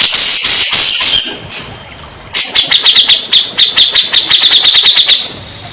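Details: Grey-cheeked bulbul, used to prompt stressed, silent birds to sing. Opens with a loud, harsh, hissing rattle, then after a short gap a fast run of sharp, high chips.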